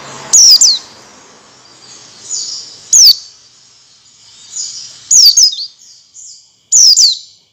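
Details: Pleci, the oriental white-eye, giving lure song meant to get other white-eyes singing: loud, high, downward-sliding whistled notes, single or paired, spaced a couple of seconds apart, with faint twittering in the gaps.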